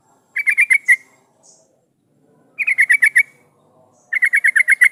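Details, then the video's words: Yellow-vented bulbul lure song, used to prompt other bulbuls to answer and sing: three bursts of quick, bubbly, chirping notes repeated five to eight times each, separated by pauses of about a second and a half. "suara pancingan trucukan gacor jadikan burung trucukan nyaut dan bunyi"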